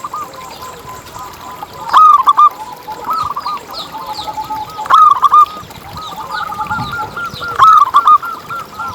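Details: Zebra dove song from local birds, meant to lure others into singing. Three loud bursts of rapid, warbling coos roughly three seconds apart, set against a continuous soft chorus of more doves.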